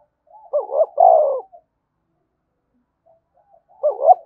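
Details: Spotted dove cooing 'thúc bổi' style: a phrase of two clipped notes and one long coo, silence, then the next phrase beginning.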